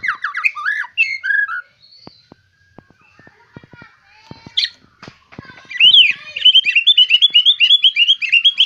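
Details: White-rumped shama, a fierce fighter type with a luxurious song fill, gives varied warbled phrases, then scattered clicks and taps, then a fast chattering series of rising notes.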